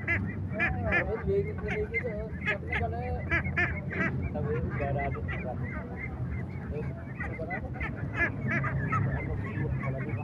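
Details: Flock of little ducks, described as laying ducks, giving dense overlapping nasal quacks in rapid bursts, with some higher curving peeps mixed in, over a steady low rumbling hum throughout.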